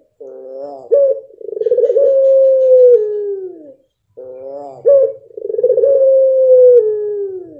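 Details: Blorok (mottled) pelung dove cooing twice: each phrase opens with a short stacked, nasal rising note, then a sharp accent, then a long, drawn-out, steady coo that slowly sinks in pitch and fades. Quiet indoor background.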